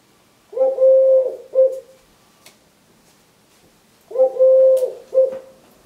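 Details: A 3-year-old male Eurasian collared dove, wing-tapping, sings his "please lay eggs" song: two soft, hollow three-part coos with a long middle note, about three and a half seconds apart, with only faint background noise.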